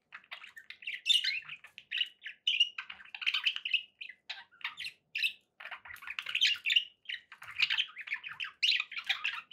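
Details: Long stretch of pet budgie chatter: busy rasping warbles and high squeaks, rising and falling in loudness, with short breaks every second or two.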